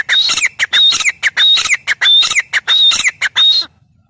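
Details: Teetar, or grey francolin, in a fast continuous series of loud ringing whistles interleaved with harsh clicking notes, the rhythmic phrase repeating before ending abruptly into quiet.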